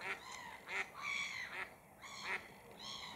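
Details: Angry Grey Heron, ducking as gulls swoop past its head and chase it, about 2 metres from the recorder: harsh, rasping cries about every three-quarters of a second, mixed with the gulls' higher, drawn-out mewing calls.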